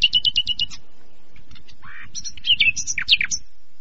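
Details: Common nightingale phrases against background hum: quick high repeated notes, a lower buzzy note, then varied rising and falling whistles and chirps.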